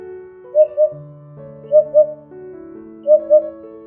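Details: A Eurasian hoopoe, a crested medium-sized bird, gives soft, hollow paired hoots, repeated every second or so over background music.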